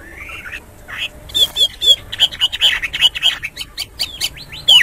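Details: Morning hwamei song: a sequence of short, clear whistled notes and quick slurred phrases, moderately loud, with some background noise between them.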